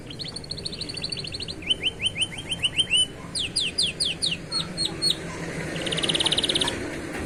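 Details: Young canaries singing by the roadside in a distinctive rhythm, fainter over a noisy background: short runs of falling whistles, then a buzzy trill.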